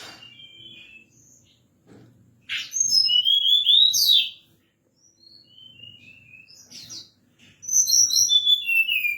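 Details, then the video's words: Forktail lure call at night, intended to make other birds respond; two strong bursts of piercing, downward-sliding whistles and chirps with softer scattered notes between them, a low hum underneath. "Tledekan Gunung Gacor Malam || Suara Pancingan"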